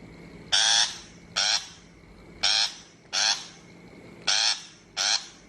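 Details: Shrike lure recording for a bird-trapping speaker: six rasping, noisy single notes spaced roughly one second apart over a faint electrical hum.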